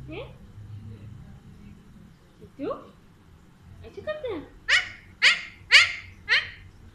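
An Alexandrine parakeet talks: a few soft, speech-like syllables, then four loud, raspy, falling words about half a second apart, in a quiet room.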